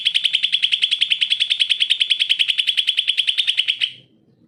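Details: Greater green leafbird song used to prompt lazy singers: a sustained, evenly pulsed high trill of rapid repeated notes lasting about four seconds, then silence.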